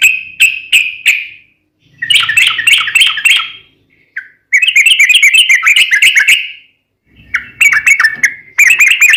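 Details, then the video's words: Sooty-headed bulbul (trucukan) gacor song with long ropel runs: short chirps, then rapid bubbly warbled phrases broken by brief pauses, bright and loud. "SUARA trucukan gacor ropel panjang PANCINGAN TRUCUKAN agar bunyi"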